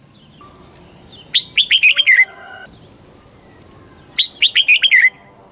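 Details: Red-whiskered bulbul from Thailand singing in the southern master style, used to excite other bulbuls and teach young birds: two bubbly, warbling phrases of quick rising and falling notes, each about a second long, with a thin V-shaped whistle and faint hum.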